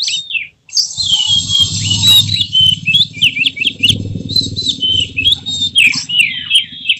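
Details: White-rumped shama in emotional display with spread tail, singing a long continuous stream of high whistles and scratchy notes over a steady low mechanical hum.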